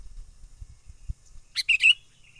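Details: Sooty-headed bulbul trapping lure call, wild bird: after low thumps and background rumble, a quick run of three bright chirps with a short trailing note at the end.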